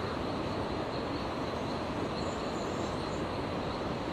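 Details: Steady loud hiss of rushing water or wind across all pitches, with no distinct animal voice.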